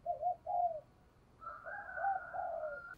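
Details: Decoy spotted dove with a low 'giọng thổ' voice giving 'thúc gù' cooing: soft, fairly faint paired coos, then a longer rolling coo run with a steady overtone, over a quiet background.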